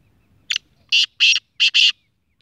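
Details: Speeder black francolin, a six-month-old young bird, delivering a short-cut call: a brief harsh opening note, two long rasping bursts, then a tight closing pair of scratchy notes.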